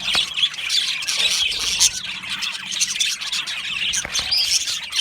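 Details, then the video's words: Aviary colony of Australian budgerigars chattering during breeding and mating, with constant high warbling chirps and scratchy notes layered from many birds at once. "Beautiful Budgie Singing and chirping sounds | Budgie Parakeets sounds"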